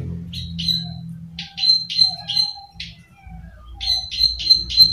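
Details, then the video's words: Plain prinia of rice fields, kept as a lure bird, giving sharp buzzy 'klik' notes in quick runs of three to five, with short gaps between bursts, over a low steady hum. "Suara burung prenjak klik klik/prenjak sawah"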